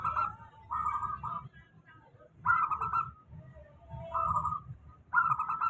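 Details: Local zebra dove giving a steady lure song for doves that rarely sing: trilled, vibrating cooing phrases, each under a second, in pairs with quieter soft notes between, repeating every two to three seconds over faint low hum.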